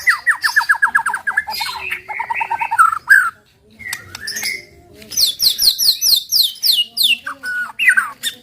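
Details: White-rumped shama in provocative 'tembakan' song: fast whistled note series, a brief pause, then ringing high trills and strong slurred whistles toward the close.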